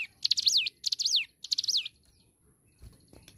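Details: Hill prinia (ciblek gunung) in vigorous song: three phrases about half a second apart. Each is a rapid stutter of high buzzy notes ending in a whistled zigzag that slides down. A soft rustle follows.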